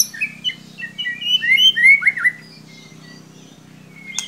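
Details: White-rumped shama giving a stimulating lure song for an under-singing young shama: varied sweet whistled notes building to loud swooping slurs, then fading thin whistles and a final sharp click, with faint hum beneath.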